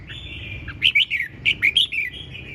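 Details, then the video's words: Red-whiskered bulbul singing ché chẻ style: a soft sustained warble broken by a quick series of six loud, clipped, slurred whistles, over a low background hum. "Hót Cực Sung ( Ché Chẻ Cực Đỉnh)"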